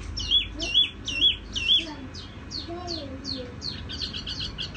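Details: Tiểu mi with a gentle, ringing song. Four loud, clear whistled notes come evenly spaced, followed by softer lower slurs and a run of fast high chips.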